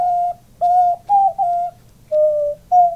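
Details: Cooing male pet diamond dove, puffed up during each call, alongside its owner: six even, pure coos of about a third of a second, one slightly lower and longer, repeated at a steady pace in a quiet room.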